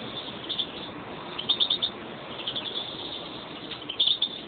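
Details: A pair of kept European greenfinches; short bursts of thin, high chirping twitters come in two clusters, around the middle and near the end, over a steady hiss.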